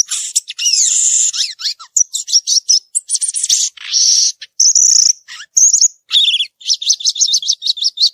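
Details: A wild violaceous euphonia delivers a long, dense song of rapid high twittering, buzzy rattles and sliding whistles, closing with a fast repeated series of sharp notes.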